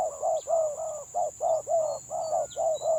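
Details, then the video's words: Spotted dove of the village type giving 'gagap' stutter song, about eight clipped, throaty coos packed into three seconds, each slightly falling, over a thin constant hiss and a distant tiny chirp. "BURUNG TEKUKUR GAGAP VS GAGAP"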